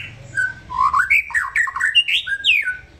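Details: Relaxed white-rumped shama song: a steady whistle, then tumbling, slurred notes that swoop up and down, ending in a high falling whistle.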